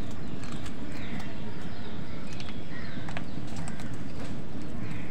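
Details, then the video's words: Hoarse crow caws, three in about five seconds, as crows and wild birds squabble over food; scattered clicks and faint chirping from other birds sit above a constant low, rumbling background. "কাকের ডাক Wild birds fight with crows for food | Crow Bird Crowing Sound Crow Sound"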